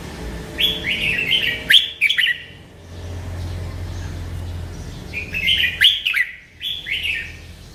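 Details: Merbah lekir bulbul delivering melodious song: rich gurgling phrases of quick rising and falling notes, a pause with a low hum, then more bubbling phrases and a few sharp clicks.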